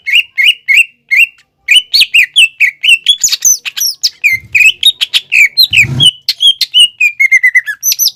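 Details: Greater green leafbird in full song, used to lure a young learning leafbird into singing: rapid chattering run of sharp chirps and slurred whistles, often repeated several times per second, with a brief low hum near the end.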